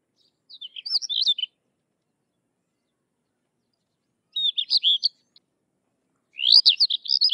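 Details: A Sykes's lark (Galerida deva) sings three short bursts of high, twittering song, a jumble of rapid chirps and trills, separated by pauses of about three seconds in a quiet background.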